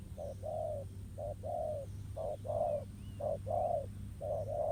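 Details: Wild spotted dove answering a decoy at a ground trap, cooing in pairs: a short low note then a longer, slightly falling one, repeated about once a second, over steady low rumble.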